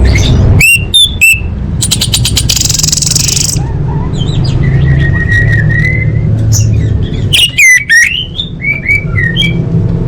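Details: Orange-headed thrush song as masteran training audio: loud, quick, harmonic phrases open and close the recording, with a buzzy rattle and a drawn-out thin whistle between, all over a low steady background hum.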